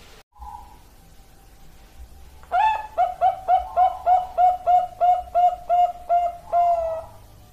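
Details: Bangkok-type perkutut (zebra dove): after a brief low tone and quiet, a vigorous sequence of about twelve evenly spaced, ringing coo notes, each beginning with a short upward lilt, with the final note stretched out.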